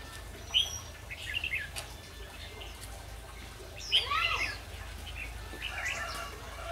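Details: Red-whiskered bulbul acting as a trapping decoy that sings to provoke fights. It gives sharp, bright chirped phrases near the start, a louder tumbling burst at about four seconds, and a softer phrase near the end, with faint background noise.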